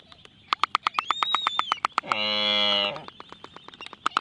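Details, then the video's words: Black-footed albatrosses during their courtship dance trade rapid dry clacks, about ten a second, broken by a drawn-out nasal, harmonic moan near the middle; a thin rising whistle is also heard. "Courtship Dance of The Black Footed Albatross"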